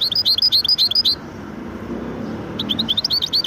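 Goldfinch-canary hybrid singing quick, high twittering phrases of bright chirped notes, breaking off for over a second before resuming; a faint low room hum underneath.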